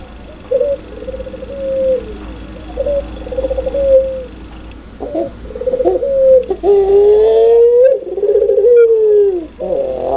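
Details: Puter pelung dove, a ringneck dove type known for loud, clear cooing: drawn-out, level coos with a slight rise and trailing fall, repeated in a series, then a louder, longer bending coo near the end, with some indoor clatter.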